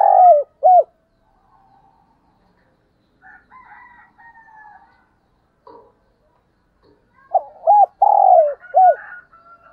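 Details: Decoy spotted dove cooing in the morning: a low, hooked coo phrase at the start. After a quiet stretch with faint, soft background sounds, a fuller phrase follows with a long, falling, slurred note and a final hooked coo.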